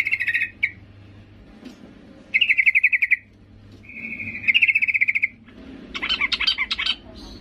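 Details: Yellow-vented bulbul female calling for a male, a sound used to lure males: four bubbly, rapidly pulsed bursts of high chattering notes, each lasting about a second, separated by short pauses, with a faint low hum beneath.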